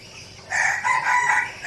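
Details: Decoy red junglefowl from Bình Phước, Vietnam, giving a loud crow of about four rapid, hoarse, slightly rising and falling segments lasting just over a second, over faint background hiss.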